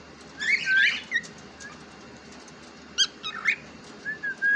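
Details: Pet cockatiel, described as talking, produces loud burred chirps and rising whistled notes in two bursts, followed by softer short whistles toward the end.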